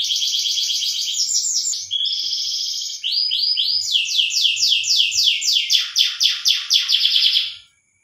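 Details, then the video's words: Canary song in a breeding context, meant to stimulate mating: fast, continuous trills and rapid repeated notes high in pitch, shifting through several tours and ending in a lower, pulsed, descending roll; faint low hum beneath. "suara kenari lagi kawin rangsangan menaikan birahi"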